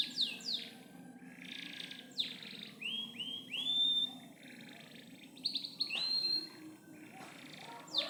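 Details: Loper-style canary song, a varied string of high whistled phrases, some long and flat, others quick and slurred, with soft pauses between bursts.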